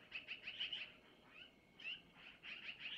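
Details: Long-eared owl owlets at a nest, 25 April 2024 around 05:05 Missoula time, give thin, high, squeaky begging notes in quick runs of four or five with brief pauses, as the mother takes food from the male to feed them.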